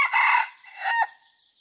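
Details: Crowing F2 red junglefowl in training, 5 September 2020; a rough, loud burst followed after a brief dip by a second strained note that fades out, against continuous shrill insect buzzing.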